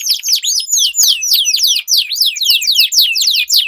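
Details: Canaries in a singing duel, used as a lure for silent birds and as tutoring for competition birds; loud, very fast overlapping high sweeping notes, about three per second, with scattered clicks.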